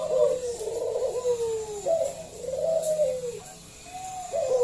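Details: Loud local zebra dove lure: a chain of rounded, downward-curving coos repeated about every second, soft and melodious.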